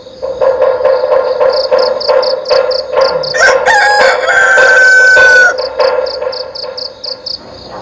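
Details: Rooster crowing at dawn alongside the call to prayer: a loud, strained crow of about two seconds ending in a long held note, over a steady chanted voice and fast rhythmic cricket chirps pulsing throughout.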